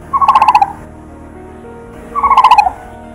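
Brown-headed Barbet giving two short bubbling trills of about eight quick notes each, slightly falling in pitch, two seconds apart, with faint music behind.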